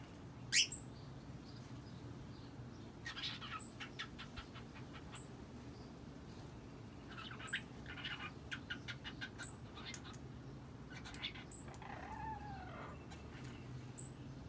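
A cockatiel chatters in raspy, clicking bursts between sharp, high chirps repeated every second or two.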